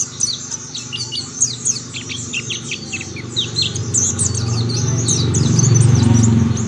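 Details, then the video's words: Mountain white-eyes answering one another in song: rapid high chirps and short falling notes in busy overlapping bursts, while a low rumbling hum grows louder toward the end. "Tidak butuh waktu lama pleci Monty lain pasti ikut bunyi"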